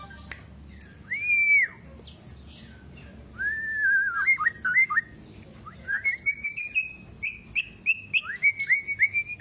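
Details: Black-naped oriole in a lure song for songbird keepers: a clear, fluty arched whistle, then wavering slurred whistles and a rhythmic run of short repeated whistled notes.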